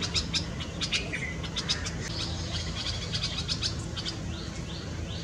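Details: Red-vented bulbul feeding its chicks in a nest in a Karaunda bush, Delhi garden, India, May 2020, peak summer heat; bursts of sharp high chirps with a few short falling whistled notes, over a steady low hum.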